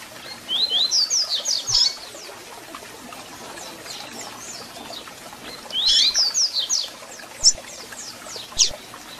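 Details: Double-collared seedeater song meant to warm up a caged bird: two lively phrases of rapid, high, downslurred whistles a few seconds apart, followed by single sharp chips, with faint hiss throughout.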